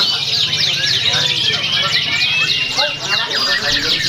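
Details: Canary singing at a bird-singing competition in Pringsewu, 22 September 2019, later nominated for a prize. Dense overlapping trills and fast falling sweeps come from several birds, with a low murmur of crowd voices underneath.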